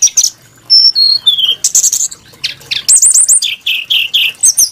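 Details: Melodious, varied Brown-chested jungle flycatcher song with high trilled bursts and clear falling whistles, followed by a series of looping slurred notes and repeated lower warbles.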